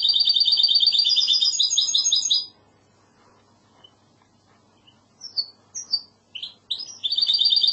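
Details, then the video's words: Spanish goldfinch hybrid (mixto) singing in the classical Andalusian style: a dense, rapid, high trilled phrase of buzzy, rattling notes for over two seconds, then a silent gap, scattered sharp chirps, and the rolling trill resuming at the end. "تغريد هجين الحسون الإسباني"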